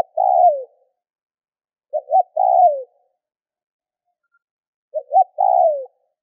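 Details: Spotted dove calling to stir other doves into calling; phrases of two brief upswept notes and a drawn-out descending coo, repeated every three seconds or so in quiet surroundings.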